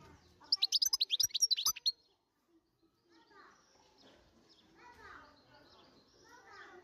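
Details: Wild European goldfinch singing a loud burst of rapid, high, tinkling twitters and trills for about one and a half seconds, followed by a quieter stretch of distant voices and children's chatter.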